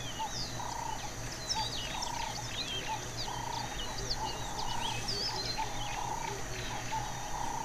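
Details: Red-necked francolin (red-necked spurfowl, Pternistis afer) in the Masai Mara, Kenya: harsh, grating mid-pitched bursts repeating about once a second, over a chorus of high chirping songbirds and a low steady hum.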